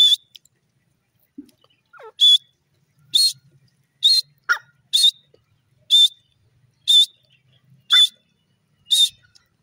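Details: Dakhni or pahari teetar (grey francolin) giving loud, piercing short notes at a steady pace of roughly one per second, with a few faint lower chirps and soft sounds between the calls.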